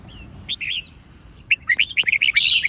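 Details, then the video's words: Fighting song of a white-cheeked red-whiskered bulbul used to train birds; a soft whistle and a short warbled phrase, a pause, then a fast rising burst of sharp chirps ending in a buzzy trill. "Chào Mào Hót Đấu"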